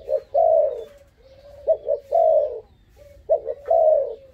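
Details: Very daring young dove, five months old, repeats its coo phrase: a long warm note, a quiet hum, then a rapid double coo, cycling about every one and a half seconds.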